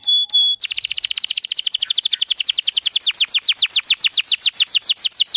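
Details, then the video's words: Long, energetic canary song meant to prompt other canaries to sing: after two short pure notes, a fast unbroken series of descending whistled sweeps repeated about four times a second, growing louder and sharper. "Kenari gacor panjang Merdu Cuit Cuit EMOSI, Pancingan Kenari Paud Belajar Bunyi"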